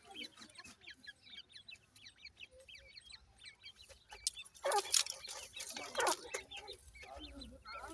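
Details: Grey francolin (gora teetar) chicks giving many short, high, upward-flicking peeps in quick succession, with a few louder rustling or handling bursts midway and soft lower notes underneath.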